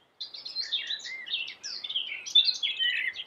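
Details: Common blackbird, black with a yellow beak, in full energetic song: a dense, continuous jumble of bright warbled and twittering notes, fairly high, with no clear pauses.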